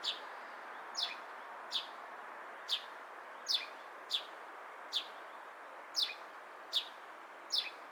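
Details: Repeated single chirps from a sparrow in Japan, clear sliding notes coming roughly once per second in an irregular series, against low background traffic hum.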